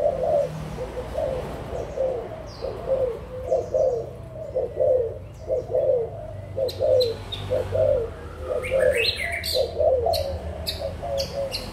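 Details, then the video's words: Adult spotted doves, Malaysian and Thai, recorded 16 March 2022, coo rhythmically for about a dozen seconds in evenly spaced husky phrases; sharp clicks and high chirps break in during the second half. "cu gáy trưởng thành malaysia và thailand"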